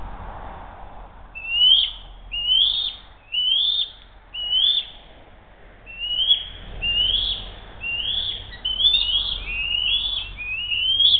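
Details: Attempted food theft between eagles at a nest, brief kerfuffle, 07-02-2023 at 12:10; a long series of about twelve high upslurred whistles, spaced at first, then crowding together near the end, over faint low hum.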